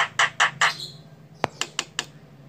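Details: A female Javan myna giving three harsh, rasping notes, then a sharp click and four quicker, shorter rasps, over a faint low hum.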